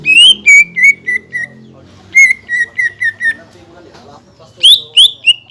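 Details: Green leafbird song played as a lure to make rival birds sing, containing mimicked kingfisher, magpie-robin and shama sounds: clear whistled notes stepping downward in short series, separated by pauses, with high sharp overtones.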